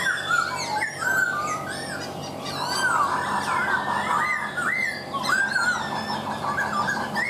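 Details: Laughingthrush singing a varied run of loud whistled phrases: slurred rising and falling notes between low and high pitches, some rapid warbled trills, delivered almost without pause over a faint steady hum.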